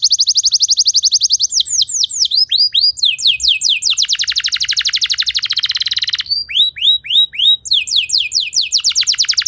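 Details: Singing canary, played so other canaries learn to sing long phrases: rapid rolling trills of high sweeping notes, shifting between slower looping syllables and dense buzzy rattles, continuous and loud.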